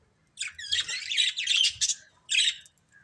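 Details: Pet budgerigars in a family group: a sustained harsh, grating squawking chatter of about one and a half seconds, a short gap, then one more scratchy burst, in a quiet room.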